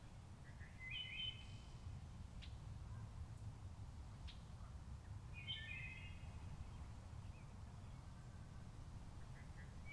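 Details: Wood thrush singing at Lake Needwood on 6 May 2014: two separated fluted, layered phrases around the upper-middle range, each about a second long, with scattered short notes of other birds and a low steady rumble beneath.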